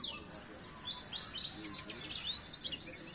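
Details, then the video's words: Oriental white-eye song used as masteran training for caged birds, high squeaky slurred whistles and twitters, irregular and rapid, over quiet background noise. "masteran burung pleci"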